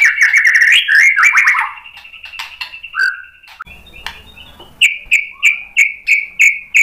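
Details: White-rumped shama lure song: rapid chattering warble with a steady high tone, a quieter low whistle, then a string of loud, evenly spaced bright whistled notes about three per second.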